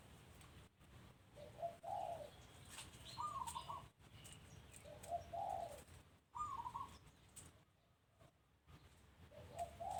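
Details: Doves cooing at a home, short soft phrases in a low and higher pattern, repeated roughly every one to two seconds, set against low steady background noise.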